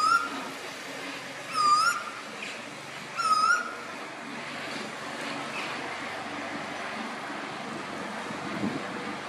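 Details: Eastern (Pacific) koel, called the storm bird, at Mooloolaba, Queensland, gives three short, rising whistled notes about a second and a half apart, then only a steady background hiss, possibly distant traffic.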